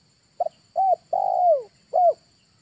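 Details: Lure call of a spotted dove used in August: a tiny double note, then three low, hollow coos. The second coo is long and sinks in pitch, and the quiet background holds only faint low hum.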